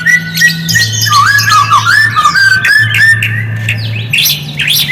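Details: Lure song of the white-rumped shama to stir silent shamas: wobbling, warbled whistled line with short breaks, ending in a burst of sharp high notes, over alternating low humming tones.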